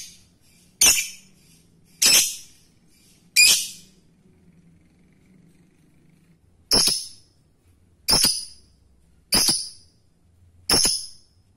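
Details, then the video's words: Male lovebird calling to a female; seven sharp, screechy single shrieks, spaced roughly a second or more apart, with a longer pause in the middle. "Lovebird jantan memanggil betina ampuh membuat semua lb lain ikut bunyi ngekek"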